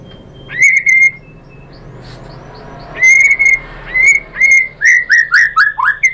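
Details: White-rumped shama giving clear whistles as a lure song with mimicked material: two steady notes, a quiet pause, then a row of evenly spaced whistles that drop in pitch toward the end.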